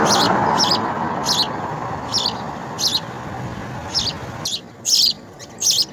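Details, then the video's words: Over steady background noise, house sparrow babies in the nest repeat high, scratchy begging chirps, around ten bursts, while being fed insects. "House Spsrrow Feeds Insects to Babies"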